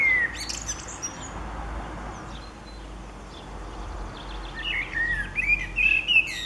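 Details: Common blackbird singing on 29 April 2019: a short fluty whistle opens, then after a quiet stretch comes a louder run of warbled, slurred whistled phrases, with a steady low background hiss throughout.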